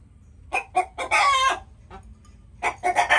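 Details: Chicken noises: a few sharp clucks lead into a long, strained squawk, a quiet gap, then a loud cluster of raspy clucks at the end.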